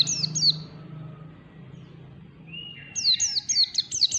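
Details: White-eye in 'ngalas' song practice: two high falling chirps, a long quiet stretch with a low hum and a thin rising whistle, then a quick run of sharp descending twitters.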